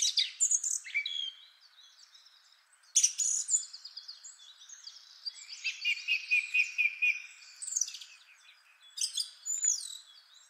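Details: Male Song Thrush, one of three singing males, giving varied high chirping and whistled phrases with quick repeated notes, broken by brief pauses between bursts.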